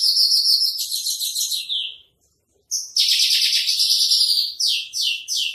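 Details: Spotted 'trotol' Javan bush lark in full tutor song: a long, harsh, high rattle, then a short silence, then another sustained buzzy trill ending in a few downward-sweeping notes.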